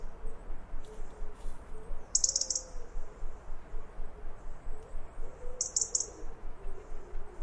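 A robin gives brief, very high, thin alarm notes twice over a steady low rumble.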